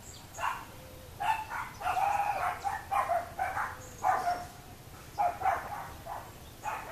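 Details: Boat-billed flycatcher filmed in the hamlet of Miraflores, Barinitas, Barinas state, Venezuela; a series of harsh, nasal, buzzy bursts repeated irregularly, about eight in quick succession, some notes drawn out and grating, over faint background hiss.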